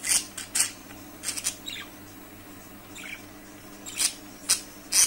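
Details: A budgerigar gives short, scratchy, high-pitched chirps in irregular bursts with quiet gaps between, over a faint indoor hum.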